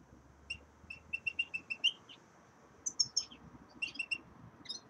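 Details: Common redpolls kept in a cage, settling into a new one, give runs of rapid high chattering notes, a steady series of about eight followed by a brighter burst and a few more short groups.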